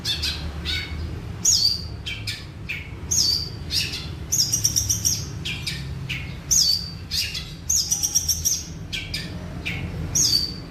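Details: Long-tailed shrike in lively song: rapid scratchy chirps mixed with thin, high whistled notes that dip downward, phrases recurring every second or two over a constant low background hum.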